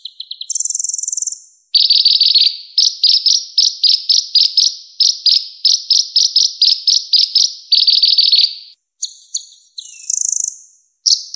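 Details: A purple-throated sunbird (Leptocoma sperata) sings high, thin and fast: rapid chattering trills of sharp notes, several per second, with brief very high sweeping squeaks.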